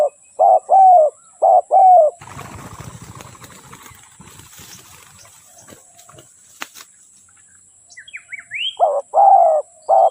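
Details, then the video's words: Spotted dove coos in short-long pairs at the start and end, separated by several seconds of rustling and handling noise, with faint high chirps from another bird before the cooing resumes. "เสียงนกเขาใหญ่/suara burung tekukur"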